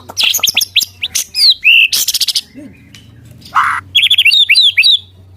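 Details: Caged murai batu, the white-rumped shama, in a rich varied song of sharp chirps, rapid buzzy trills and slurred downward whistles, broken by a brief lower rasp before a fast run of repeated high notes.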